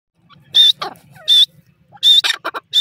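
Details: Black francolin, locally called teetar, giving loud harsh grating bursts with a thin whistled note on top, three main phrases separated by short pauses, then a quick run of clipped notes.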